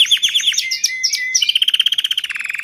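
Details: Domestic Belgian canary song: bright chirped notes, then an even trill of about fifteen rapid repeated pulses dropping slightly in pitch toward the end.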